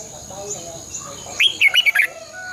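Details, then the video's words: Red-whiskered bulbul decoy song for training caged birds, long twisted double-voice style: one short, loud phrase of quick slurred whistled notes rising and falling, against a constant shrill insect hum. "luyện chào mào hót sáng 2020 - Giọng kép xoắn dài Quá hay hót căng lửa"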